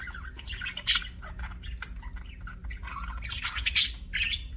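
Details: Budgerigar making happy sounds: scattered soft warbles and chirps with occasional sharper squeaky notes, over a low steady hum.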